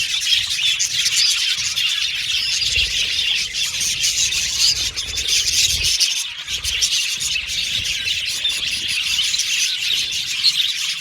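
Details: Budgerigars chirping together in an aviary colony: a dense, continuous wash of high twittering and warbling notes with no pauses, steady loudness throughout, and faint low rumbling underneath.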